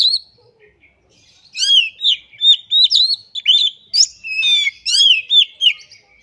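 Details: Displaying (ngobra) Oriental magpie-robin, locally kacer, pouring out its imitated song material (isian): a short note and pause, then a steady string of loud, ringing whistled sweeps and chattery phrases.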